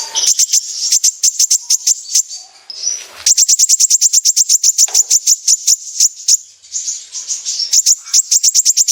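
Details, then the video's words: Sunbird (kolibri ninja) singing vigorously in 'besetan' style as a lure: long, rapid volleys of crisp, very high ticking notes over a thin continuous trill, broken by short pauses, then renewed fast bursts. "Pancingan burung Kolibri ninja gacor | full besetan"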